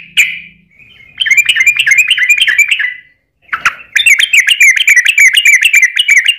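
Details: Sooty-headed bulbul long-rolling song played to draw other bulbuls into singing. A single sharp note, a rapid chattering phrase, a pause, then a dense, fast stream of bright repeated notes. A faint low hum is heard early.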